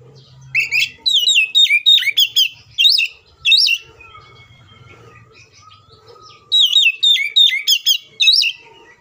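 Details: Agitated fighting song of an Oriental magpie-robin, used to provoke other magpie-robins to sing: a long rush of sharp, swooping whistled notes, a quieter interval with faint low hum and softer calls, then a second rapid volley.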